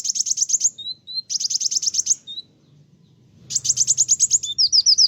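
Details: Brown-throated sunbird in full, vigorous song that stirs up other birds: fast high trilled bursts of sharp chirps, each lasting under a second, broken by brief thin whistles, then a longer final burst ending in repeated high slurred notes.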